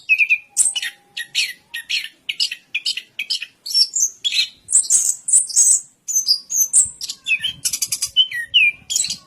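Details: Orange-headed thrush from Indonesia pours out a varied song of clipped high notes and chatter, broken by mid-pitched warbled whistles and down-slurred phrases, in rapid, steady succession.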